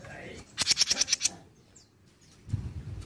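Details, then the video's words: Mini jenggot bird from Indonesia, used as a lure to set other birds singing: one quick string of about seven harsh, high ticking notes, followed by silence and a low rustle. "PANCINGAN JENGGOT MINI BAHAN LANGSUNG NYAUT || JENGGOT MINI GACOR"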